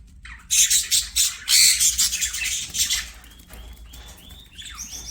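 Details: Playing budgerigars singing: a loud run of rapid buzzy chatter for two seconds, then softer thin whistled notes, some rising.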